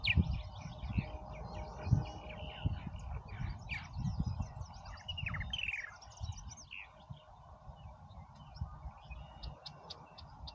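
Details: Purple martins busy around their colony at Oak Harbor, Ohio, giving a steady stream of gurgling, chirping calls with rising and falling notes, over low rumbling wind or traffic noise.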